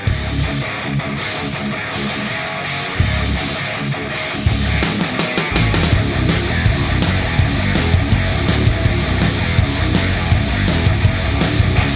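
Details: Loud heavy metal music with distorted guitars and drums, no animal sounds audible.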